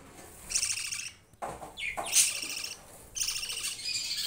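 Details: Young budgies kept with rabbits utter raspy, buzzing chirps: a burst, a quick rising squeak, a louder harsh call, then a final chattering run.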